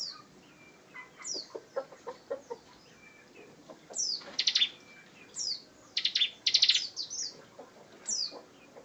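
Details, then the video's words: Bar-winged prinia master bird in ngebren style, giving scattered high chirps and thin downslurred whistles, broken by two short, fast bursts of pulsed notes. "Ciblek Gacor Ngebren"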